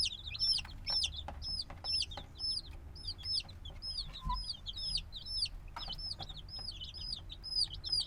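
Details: Several noisy black chicks only days old peep continuously in a binaural field recording; high, sharply falling chirps overlap from many birds, with occasional soft knocks and a brief low thud.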